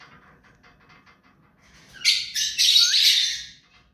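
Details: Pet hand-tame ring-necked parakeet: after near silence with faint rhythmic ticking, a single loud, harsh, broad screech lasting about a second and a half, rough and grating in texture.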